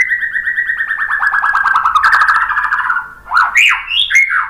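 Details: Lure song of a White-rumped shama, played to make other shamas sing: a rapid trill that slowly falls in pitch, followed by a few loud swooping whistles that rise and fall.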